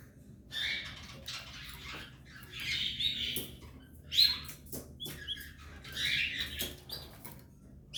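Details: Three Belgian canary chicks in the nest with their parent pair, giving raspy, high-pitched begging chirps in short bursts of about a second, repeated every second or two, with faint rustling between bursts.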